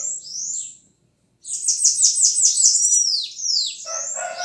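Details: Song of a bananaquit: a short high wavering note, a brief silence, then a fast sibilant trill of rapidly repeated buzzy notes ending in downward-sweeping whistles.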